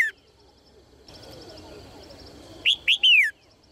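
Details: Female red-whiskered bulbul chirping cheerfully to motivate males to sing; after a brief note at the start and a quiet stretch, one full phrase comes: paired short rising chirps then a long descending whistle.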